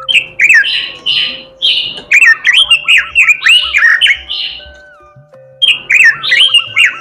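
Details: Loud, varied song of an oriental magpie-robin: rich whistled slurs and buzzy notes poured out in bursts, with a steady low bubbling phrase and thin tones running underneath, a short pause, then more whistles.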